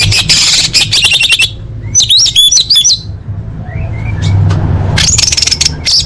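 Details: Female orange-headed thrush luring males, used to get silent birds singing: dense high chattering, then squeaky warbled whistles, soft rising notes, and a final burst of sharp chirps, with a low hum beneath.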